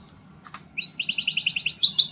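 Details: Goldfinch hybrid (mixto de jilguero) singing: after a short quiet start, a fast run of bright, high, evenly spaced chirping notes builds in loudness, rising into sharper twittering at the end.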